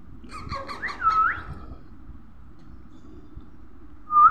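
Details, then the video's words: Baby parrot giving a burst of harsh rasping notes with rising squeaky whistles, followed by a long pause and a single short whistled note at the end; faint low background rumble. "baby parrot natural sound,baby parrot voice"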